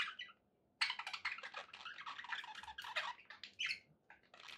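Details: Pet budgerigars in a continuous rapid warble of harsh, scratchy chirps and squeaks after a short quiet opening, with a faint low background hum throughout.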